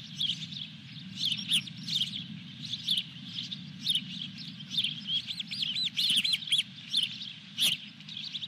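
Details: Osprey at the Dunrovin Ranch nest on 23 June 2021 during the fourth fish delivery. Repeated high, slightly slurred cheeping whistles, some rising and falling, continue steadily over a low background drone.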